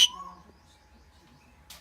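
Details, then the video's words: A pet common myna, heard talking for the first time, gives a harsh, high burst, then a thin steady note that fades, and a second rasping burst near the end, amid people calling names nearby. "প্রথম বার আমার শালিক কথা বলল"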